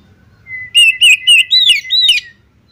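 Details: Female Oriental magpie-robin calling to a male: a thin steady whistle, then five loud warbled notes sliding up and down, each clearly separated, ending in a short buzzy flourish, over a soft low hum.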